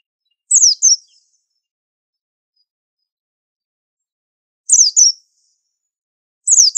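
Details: White-eye (pleci) tutor song, said to be rare: three doubled, thin, falling notes separated by long silences of up to four seconds.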